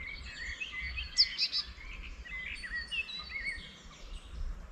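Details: Spring birdsong in a rural landscape beside a small wetland near a village; several birds overlap with high twittering, short whistled phrases and a burst of three bright chirps early on, continuing as a busy chorus with low background hum.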